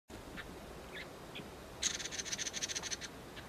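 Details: Red-billed leiothrix, introduced to the Hawaiian Islands, travelling in small family groups: a few soft scattered notes, then a quick, high, chattering run of about a dozen notes over a quiet background.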